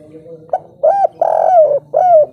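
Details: Wild local spotted dove giving its three-note coo: soft, mellow, with a short lead-in note, then three hollow hoots, the long middle hoot slurring downward, against a quiet background.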